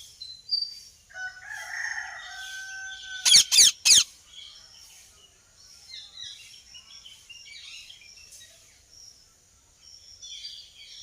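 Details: Ringneck parrot gives three quick harsh squawks in a row, surrounded by a varied chorus of other birds whistling and chirping outdoors.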